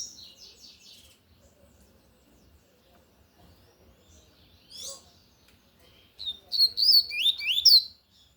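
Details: Lined seedeater, tui-tui type, in loud song: an opening fast high trill, a lone buzzy note midway, then a vigorous closing burst of sharp, rapidly swept whistles.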